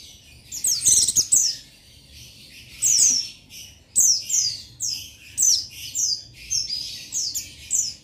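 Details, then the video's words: Male Oriental white-eye (buxtoni) calling rivals, used as a lure recording to stimulate other males: high, rapid, thin, sweet twittering phrases with quick warbled trills in short bursts about once a second; no other clear sounds. "Buxtoni Memanggil Lawan Memancing Bunyi Jantan"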